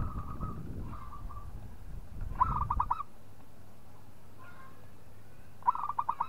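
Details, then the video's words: Local zebra dove, a gacor singer provoking a rival: short bursts of rapid bubbling coo notes repeated three or four times across the recording, separated by pauses, over low rumbling background noise. "PERKUTUT LOKAL GAJOR JAGO MEMANCING LAWAN BUNYI"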